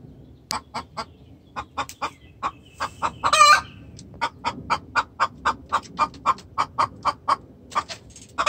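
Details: Distress call of a hen to the rooster: a steady series of sharp clucks, roughly three per second, with one loud raspy squawk midway.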